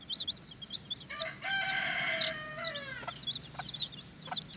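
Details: Bearded Watermaal bantam chicks squabble over an earthworm; shrill peeps surround a long, wavering harmonic wail that slides lower before breaking off, then peeping resumes.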